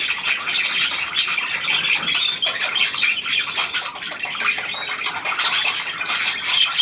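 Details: Recently acquired hand-tame pied budgie, recorded 17 February 2023: unbroken twittering chatter of quick high notes and buzzy squawks, with brief whistled tones woven through.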